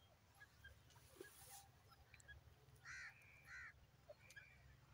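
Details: Grey francolin, locally called teetar, giving two short, harsh, nasal call notes about half a second apart over a steady low hum and faint background noise.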